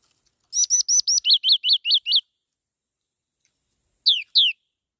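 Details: Black-throated laughingthrush singing: two sharp hooked notes, then a quick run of six bright, clear, down-slurred whistles. After a pause come two more high slurred notes. The background is quiet.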